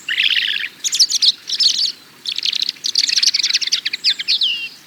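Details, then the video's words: A European robin sings a high-pitched, highly variable song of sweet, tumbling phrases of thin whistles and fast trills, each burst varied and separated by brief pauses. "European Robin - Songs"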